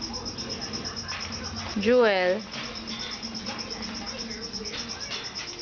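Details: Pet Moluccan cockatoo mimicking speech: a single loud, hoarse word-like call with a rising then falling swoop, standing out briefly from a quiet murmuring background.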